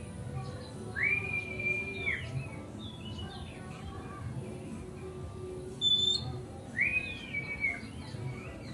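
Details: Oriental magpie-robin song meant to stir other magpie-robins: two long, clear whistled notes rising then held steady, about six seconds apart, with faint scattered chirps between them over a low background hum.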